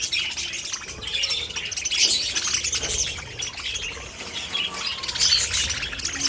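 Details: Budgerigars chattering: a dense, continuous stream of high, scratchy chirps and warbled twitters with no pauses, steady loudness throughout.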